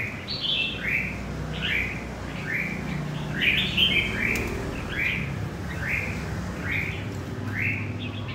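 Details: Wild-caught central Vietnamese red-whiskered bulbul delivers a steady run of about a dozen rising chirped notes, roughly two per second, with a denser musical cluster midway, over a faint low hum.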